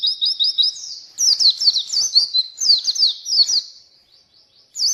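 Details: Oriental white-eye song serving as a lure and tutor for birds that will not sing: very high, fast looping twitters in two dense bursts with a brief gap.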